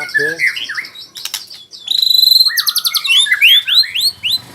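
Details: White-rumped shama, locally murai, learning to sing rolling trills: varied whistled slurs, then a fast rattling trill of repeated notes and a run of rising, looping whistles.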